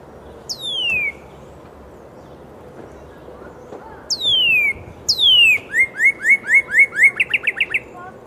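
Northern cardinal: three loud whistles slurring steeply downward, then a quick run of about ten short, bright, upslurred notes, over a faint, steady background hiss.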